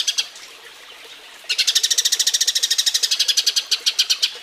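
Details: Eurasian tree sparrow mating call used as a model recording for training other birds: a brief double chirp, a pause, then a fast run of sharp, high chirps at about eight per second for three seconds, slowing slightly at the end.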